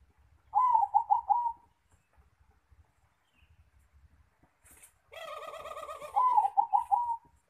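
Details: Zebra dove (perkutut) singing at the nest, a low rolling coo of several quick pulses that then trails into a longer note, heard twice with a burst of rustling and wing noise between the phrases.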